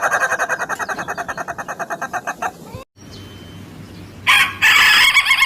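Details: Ayam Ketawa chicken crowing in a long run of fast, evenly pulsed, harmonic laughing notes for about two and a half seconds, then a pause with a low hum, and a harsh loud burst near the end.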